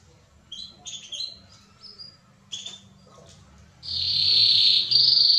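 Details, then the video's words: Mosaic canary song meant to stimulate mating and teach chicks: a few soft scattered chirps and short whistles, then a sudden loud, sustained rolling trill that fills the last part. "تغريد كناري موزايك رائع لتحفيزعلى التزاوج و تعليم الفراخ (2021) ● Canario Mosaique Canto"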